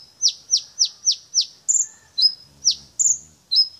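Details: Brown-throated sunbird, a champion bird singing nonstop and running through its learned repertoire: a fast series of five sharp, high notes sweeping downward, then shrill whistled slurs and short flat notes. Faint low murmuring in the background.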